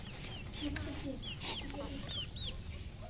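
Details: Red junglefowl on a farm in Cambodia: short downward-sliding high peeps scattered through the clip over soft low clucking, with steady low background rumble.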